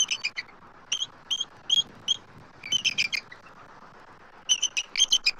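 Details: An intruding immature eagle circles the nest tree as both adult eagles call, Southwest Florida, 12 March 2024. Sharp high pips, single and in pairs, then a quick run of chittering notes at the close.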